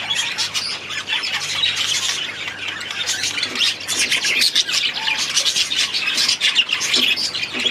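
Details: Many budgerigars in an aviary twitter and squawk continuously, a buzzy, rasping chorus rising and falling in loudness throughout.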